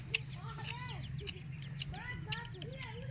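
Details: Wild black francolin with chicks: a series of short arched, downslurred chirping notes, several overlapping, with a steady low engine-like hum and brief clicks throughout.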